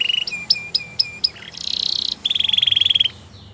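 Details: Belgian canary giving a few spaced clipped notes, then a buzzy roll and a rapid, level trill, over a noisy, hissy background.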